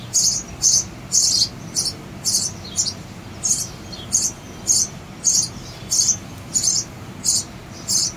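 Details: Sparrow chicks begging: high, thin, scratchy chirps repeated in a steady series, about one or two per second, with a soft background hiss.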